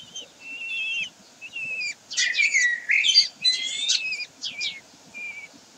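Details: Common kestrels at Sägeweg on 16 May 2023: drawn-out whistled notes, some level and some gently wavering, given in bursts with short pauses, then a denser stretch of overlapping squealing calls over a soft background hiss.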